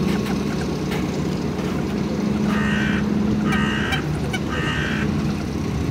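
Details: A common moorhen in Tivoli landscape park, Ljubljana, on 29 November 2023 gives three loud, harsh, nasal calls about a second apart, over a steady low rumble of distant traffic.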